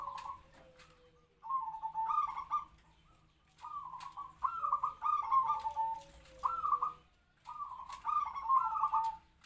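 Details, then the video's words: Decoy zebra dove of local stock, captive-bred, roughly three to four years old, singing kwor kwor in a medium voice meant to draw wild big-voiced doves; bubbling, trilled coo phrases come in bursts separated by short silences. "perkutut pikat suara sedang kwor2"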